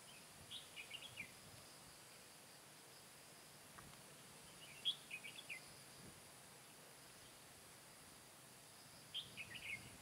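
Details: Red-whiskered bulbul used as a decoy during trapping, singing to lure and fight wild birds, recorded 15 July 2017; three brief bursts of quick, high warbled chirps about four seconds apart over a steady background hiss.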